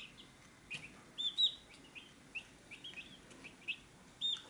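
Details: Chicks gathered at a feed dish peep repeatedly. The calls are high, thin and short, some sliding slightly, and come in irregular bursts roughly every half second. A few soft clicks are heard between them.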